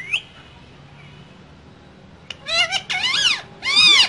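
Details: Two green parrots in a cage giving loud, long, harsh wavering screeches in three bursts after a quiet start with a brief whistle.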